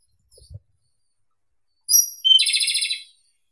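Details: Japanese robin song phrase: a piercing high whistle that drops straight into a fast, even, rattling trill, with a couple of faint low taps before it.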